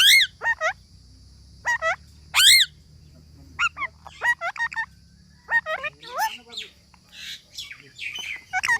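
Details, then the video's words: Parrot calling irregularly with loud screeches that rise and fall. These are mixed with shorter squawks, bent whistles and brief chatter, spaced unevenly across several seconds. A low hum and a high steady whine sit behind the calls. "Parrot talking videos"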